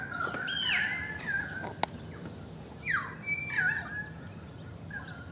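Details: Currawong song heard from a balcony, several birds noisy together: clear gliding whistles that drop and level off, a sharp click midway, then more descending and arched whistled notes.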